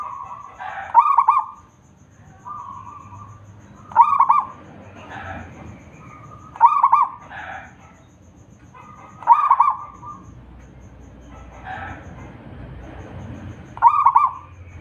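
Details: Local wild zebra dove in full song, used to coax other doves to sing: five rippling coo phrases spaced about every two to three seconds, each a quick bubbling trill, with soft muffled calls between them.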